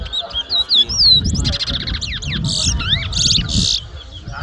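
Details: Competition towa towa, the chestnut-bellied seed finch, at Mahaica, Guyana, 2022: clear slurred whistles open the phrase, then harsh buzzy bursts alternate with steep downslurred notes, over faint crowd murmur.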